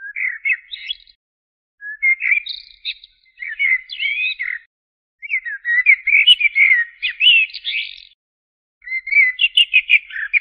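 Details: Steady blackbird singing: repeated short warbled phrases, some with fast buzzy trills and squeaky high notes, delivered in bursts with brief pauses, in an otherwise quiet setting.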